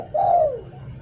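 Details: Single long purring coo from a spotted dove decoy in the "liu tan" style. It holds steady, then slides downward and fades.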